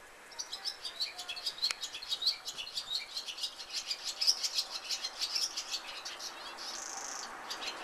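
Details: Barn swallow (Hirundo rustica) song: a rapid, high twittering of chirps and warbles runs almost without pause, closing with a dry, buzzy rattle near the end. Fairly quiet and slightly distant.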